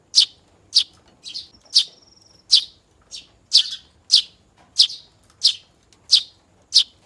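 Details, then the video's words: Hand-fed young house sparrow begging as it learns its voice, giving bright, piercing chirps at a steady pace of roughly one every 0.6 seconds, with a brief thin whistle between them. "Lolohan Anakan Burung Gereja Belajar Bunyi"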